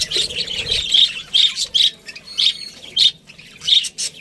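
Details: Pet budgie chirping at home: a string of bright, squeaky chirps with whistled notes, roughly two per second, fairly loud and close.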